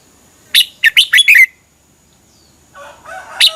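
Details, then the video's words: Red-whiskered bulbul from Thailand, song meant for caged birds to copy; one rapid phrase of five liquid, bouncing notes, then softer lower chattering and a final sharp note. "เสียงนกกรงหัวจุก สำหรับต่อ หรือ เปิดให้นกคึก เสียงเพราะๆ"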